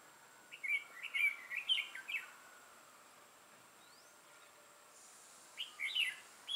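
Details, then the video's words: Trapping session on 6 November 2018 with a red-whiskered bulbul: a rapid run of bright, slurred whistles, about five notes in a row, a long pause, then another quick cluster of chirpy whistled phrases. "Bẫy chào mào Mào lân hầu bò yếm đậm"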